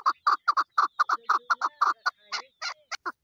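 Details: Female chukar partridge calling in quick, paired harsh chuck notes that loosen into a few scattered, varied clucks near the end.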